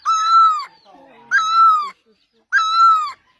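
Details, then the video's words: Great barbet, Asia: three full, resonant notes, each rising at the start and then holding a steady droop. They repeat about every 1.2 seconds, with a soft low murmur in one gap. "Asia the great barbet, นกตั้งล้อ, Pehˇ oˍ, Piˇ oˍ loeˇ, Pi luˇ ma"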